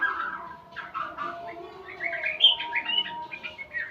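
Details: White-rumped shama learning sounds: a varied run of short whistled and chirping notes, with bright high rising phrases midway, over steady faint background tones.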